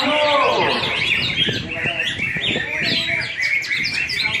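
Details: Greater green leafbird (cucak hijau) in a singing contest in Singkawang: dense, fast whistled and chattering phrases with sweeping notes, several birds overlapping, and faint voices in the background.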